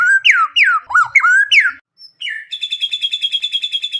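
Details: Loud White-rumped shama lure song packed with isian: strong swooping downslurred whistles, a brief pause and a thin note, then a rapid, even buzzy trill to the end.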